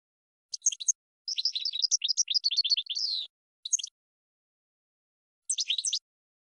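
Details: European goldfinch singing a training song for cage birds: short bursts of tinkling twitter, a rapid rattling phrase ending in a buzzy slur, then brief gaps and further twittering bursts.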